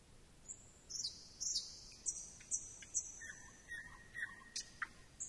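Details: Thrush nightingale singing: drawn-out high whistles broken by sharp clicks, then a lower sustained whistled note with short accents near the end.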